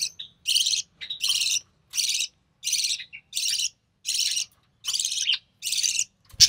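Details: Recessive pied budgerigar nestling from early June 2020, fed by its albino red-eye mother; insistent harsh rasping squawks in a steady rhythm, around nine in six seconds, ending with a soft thump.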